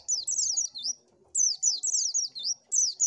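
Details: Oriental white-eye, recorded as a lure for catching birds, giving bright, high, rippling warbled phrases with falling slurs, two bursts separated by a short silence.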